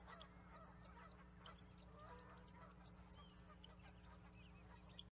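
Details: Fainter, more distant honking from a group of Canada geese, with scattered nasal notes and a few higher yelps against a heavy low rumble and hum.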